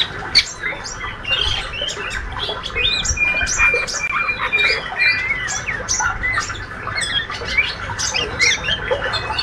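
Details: Young healthy male white-rumped shama giving its busy ngriwik chatter: rapid squeaky chirps and short rising whistles, dense and overlapping, with a brief flat whistled note near three seconds and a faint low hum beneath.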